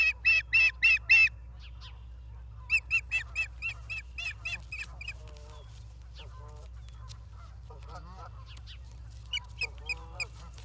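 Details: Charlo, Montana ospreys, 28 August 2023, via a live nature cam: opening burst of five loud high whistled chirps, then a quieter fading chirp series, softer lower chattering notes, and a final short run of high chirps.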